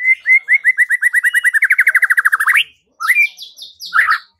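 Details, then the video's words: White-rumped shama song used as a lure to make a rival sing and fight: a rapid run of about twenty repeated short whistled notes that speeds up and turns buzzier, then a pause and a few loud harsh rising notes. "Murai batu LANGSUNG TARUNG dan IKUT GACOR dengan pancingan seperti ini"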